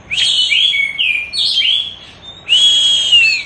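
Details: Orange-headed thrush singing in the teler style, used as a masteran tutor recording: loud, clear whistled phrases, some sliding down and others rising, a short pause, then a long bright sustained whistle.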